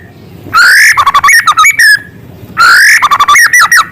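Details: White-rumped shama singing small-bird filler phrases: a loud, rising whistled note, then a burst of quick, sharp whistles and chips. The whole phrase repeats about two seconds later, with faint background hiss.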